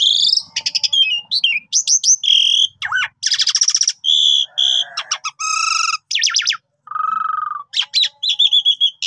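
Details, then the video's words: Javan pied starling in full lively song as a trapping lure, a dense medley of rasping buzzes, chattering trills, clear upslurred whistles and a steady mid-pitched whistled tone, phrases following closely. "Pancingan Jitu Jalak Suren full Gacor Mompa Istimewa"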